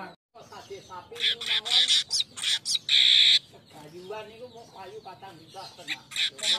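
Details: Weaver lure song for training birds. Scratchy chattering gives way to a run of short high buzzy bursts and a loud, dense, sizzling note, then more soft chatter and clipped buzzes.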